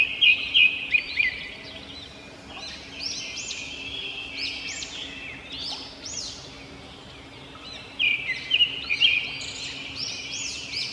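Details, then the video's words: Chirping robins: bright clipped notes open, then a run of rising-and-falling arched chirps overlapping one another, with another cluster of sharp notes near the end against constant background hiss. "Robin Birds Chirping"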